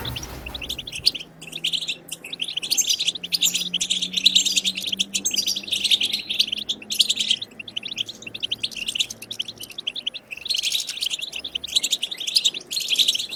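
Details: European goldfinch batbata song, meant to stimulate goldfinches to sing: long, sustained rapid twittering and buzzy chatter in phrases with brief breaks, over a faint low steady hum.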